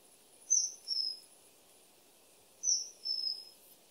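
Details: Common kingfisher calling twice, each call a piercing high whistle followed at once by a second, slightly lower drawn note, the pairs about two seconds apart, over a faint steady hiss.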